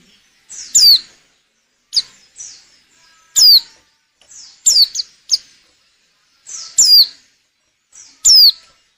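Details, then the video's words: Female white-eye in breeding condition, used to stir males into singing and for luring birds: sharp high downslurred chips, single or paired, spaced irregularly across nine seconds in quiet surroundings. "Suara burung pleci betina_pacingan birahi _jantan agar mau bunyi bagus buat pikat."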